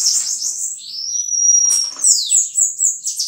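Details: Bananaquit singing: a thin, very high whistle drawn out and gliding slightly downward, followed by a rapid run of sharp, buzzy, chattering notes near the top of its range. There is no other clear sound.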